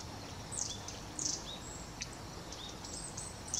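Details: Long-tailed tit (Aegithalos caudatus), recorded 10 November 2018, giving thin, very high, short calls, some sliding down to a lower note, repeated every second or so over steady background hiss.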